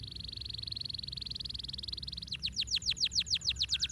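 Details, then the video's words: Canary singing to stimulate lazy birds: a steady rapid trill held for two seconds, then quick repeated falling sweeps, with faint low background noise. "goede kanarie! bewezen effectief te zijn bij het overwinnen van het fluiten van luie vogels"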